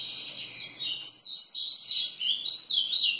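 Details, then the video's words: Lively, tumbling high-pitched chatter from a double-collared seedeater singing grego ferradura, with sharp rising and falling notes throughout. "Papa capim grego.. ferradura"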